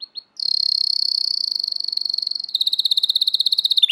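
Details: American Singer canary training song: a long, rapid, even trill of high pulsed notes, shifting after two seconds into a slower, louder rolling trill, ending abruptly; no other sounds.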